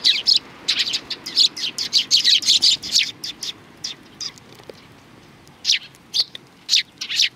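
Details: Several sparrows greeting a visitor at a Tenmangu shrine, 3 July 2020, give a busy, overlapping run of sharp high chirps for about three seconds, then a pause, then a few more chirps scattered near the end.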